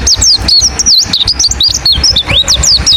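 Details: Wild white-eye (pleci ngalas) calling to get other white-eyes to answer: a dense, continuous chatter of high twittering chirps and slurred whistles, several per second, with faint low background noise.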